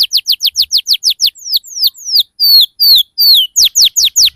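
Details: Canary singing as a lure for young birds learning ngriwik and cuit cuit sounds: quick run of sharp falling chirps slows into longer sliding whistles, then resumes with bright downward notes.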